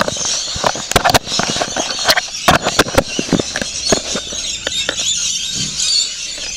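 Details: Flock of rainbow lorikeets feeding, giving a constant shrill screeching chatter. Frequent sharp cracks and snapping knocks run throughout.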